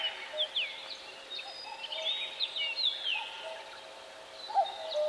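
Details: Forest birds in a soft, distant chorus: high, wavering whistles and short slurred notes, with occasional lower calls and a constant faint hiss.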